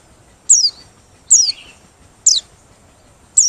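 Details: Open-beaked singing of a Merapi white-eye, used as a lure for bird trapping: sharp, very high notes sweeping steeply downward, each a fraction of a second, spaced about one second apart over quiet background hiss.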